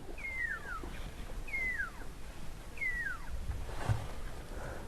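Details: A Pearl-spotted Owlet calls in the daytime in Botswana, heard in the background near zebras: three clear, falling whistles, one about every second and a half, over a low rumble of wind.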